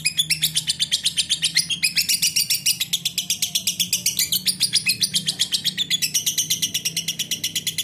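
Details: Long unbroken ngekek chatter from a lovebird: dense, rasping high chirps pouring out at roughly eight per second for the full stretch, slightly uneven in rhythm, over a soft low background hum.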